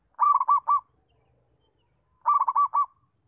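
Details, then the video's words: Local zebra dove with a settled, steady song, the kind used to train other doves to sing: two mellow cooing phrases, each of three or four quick rolling notes, about two seconds apart, against a quiet background. "Perkutut Lokal Mapan, bagus untuk melatih perkutut belajar bunyi"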